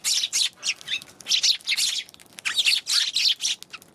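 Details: Steady series of rough, high chirps from Eurasian tree sparrows recorded on 11 January, notes coming in quick irregular runs.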